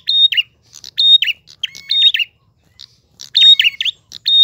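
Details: A prinia's flowing gacor ngalun song, bright and clean: bursts of sharp chips lead into a level high tone and a wobbling descending trill, repeated roughly every second with a short pause midway.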